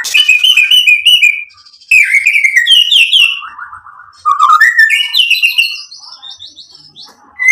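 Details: Vigorous white-rumped shama song, the bird provoked into answering with its learned material, made of bursts of rich whistled and trilled phrases, rising and falling, broken by short pauses.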